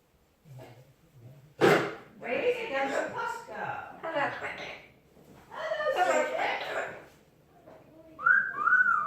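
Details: Talkative pet Amazon parrot, said to know 40 phrases and to sing: several bursts of hoarse, speech-like babble, then a rising and falling whistled note at the end.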